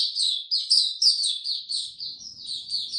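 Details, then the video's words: Rapid, high-pitched twittering song of a caged white-eye on a warm, very humid day, 26 March 2022, with short slurred notes strung together about twice per second. "Mata Puteh Hercules buka sing warm n very humid weather"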